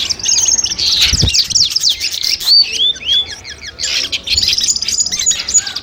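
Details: Long-tailed shrike song, compiled as mastering audio for a mental test before a bird competition: dense, high chattering with rapid twitters and short downward-swept whistles, a brief lull after three and a half seconds, then renewed scratchy warbling.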